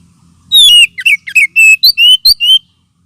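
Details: Kacer, or oriental magpie-robin, lure call used as therapy for unaggressive birds: a fast, loud string of whistles, down-slurred notes and short level tones, about nine notes in two seconds.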